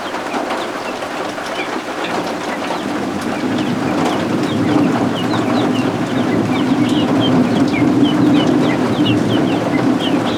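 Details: Just-hatched helmeted guineafowl keets, indoors under a heat lamp, give thin, high peeps repeated rapidly over a steady hiss of rain and thunderstorms outside.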